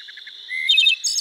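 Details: Minnesota wood thrush song phrase: faint short introductory notes, a clear whistled note sliding upward, then a quick ringing trill and a high shimmering ending, with a constant insect hum behind.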